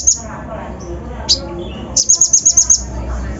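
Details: Kolibri ninja (konin) lure song used to rouse other birds: a sharp high note, a single dropping note, then a fast run of about seven bright, high chirps in quick succession.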